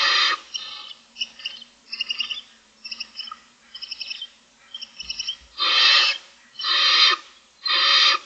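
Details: Six barn owl owlets in a nest, filmed by a nest camera in the morning, begging for food: a run of short, chattering twitters, then three long, loud rasping hisses about a second apart.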